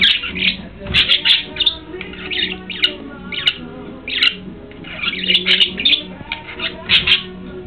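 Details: Two budgerigar sisters chatter with quick, scratchy chirps and warbles, bursting in short clusters over a low background hum.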